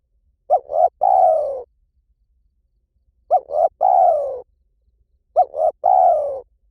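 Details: Three evenly spaced phrases from a spotted dove in 'liew tan' style, for training a dove to call back. Each phrase has two brief hollow coos and a sustained, gently falling croo, with about two seconds of silence between.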